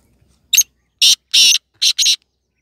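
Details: Black francolin, a hand-tamed pet kala teetar, calling loudly: five harsh, scratchy notes in a rhythm of one, a pause, then two quick pairs, over otherwise quiet surroundings.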